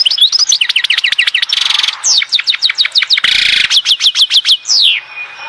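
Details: European goldfinch singing at Oued Ezzhour near Skikda, Algeria: loud fast song of repeated descending slurred whistles, bursts of buzzy trills and liquid twitters, delivered almost continuously.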